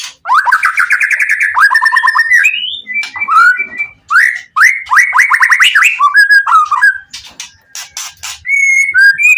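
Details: White-rumped shama singing with full emotion to make other shamas respond: a quick rattling series of repeated upslurred whistles, clear rising notes, then a varied mix of warbles and short flat whistles.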